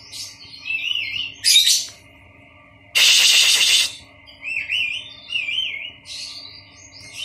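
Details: Caged Oriental magpie-robin kept among other birds in a colony to calm it and build its confidence. It sings repeated wavy, warbled whistles between bursts of harsh rustling noise.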